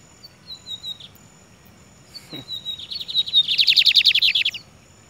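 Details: Free-flying, unconfined Lined Seedeater singing while perched on a man's head: a few thin high whistled notes, a pause, then a rapid buzzy trill of repeated notes, louder toward its end. Another seedeater answers nearby.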